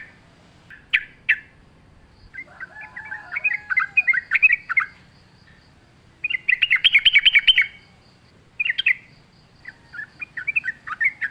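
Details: Sooty-headed bulbul in lively wild-style song with natural background, used as a lure to make kept bulbuls sing: short bubbly whistled phrases in separate bursts with pauses between, some sharp chirps early on.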